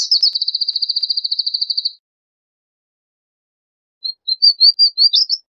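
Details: High, rapid, evenly pulsed trill of a Palestine sunbird lasting two seconds, followed after a pause by six or seven thin, wavering slurred whistles.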